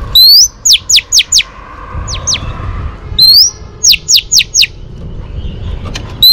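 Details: Oriental magpie-robin female singing to stimulate a male, giving loud, clear whistles: rising notes followed by quick falling slurred whistles in bursts of three to four, repeated about every three seconds.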